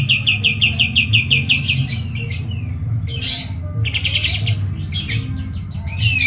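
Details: Medan kapas tembak white-eye opening with a fast run of high, clipped repeated notes, followed by scattered buzzy, scratchy bursts, with a constant low rumble underneath.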